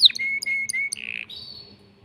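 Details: Short phrase of courtship song from a male canary stimulating a female: a sharp opening note, flat whistled tones broken by brief clicks, a buzzy burst, then a fading higher whistle.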